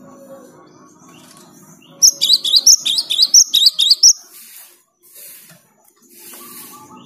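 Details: High, rapid string of about ten sharp chirps from a cinereous tit in active song, used to stimulate silent tits to sing, with soft low humming before and after.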